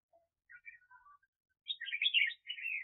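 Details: Red-whiskered bulbul decoy for trapping, 2021 season: a few soft, scattered lower notes lead into a loud, fast warbled phrase and a trailing burred note, all in a quiet room.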